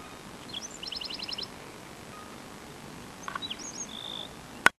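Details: A Black-throated Sparrow sings in Phoenix, Arizona: a couple of high, clear introductory notes, then a quick, bright trill of about seven notes, later a buzzy phrase and thin notes, ending on a sharp click.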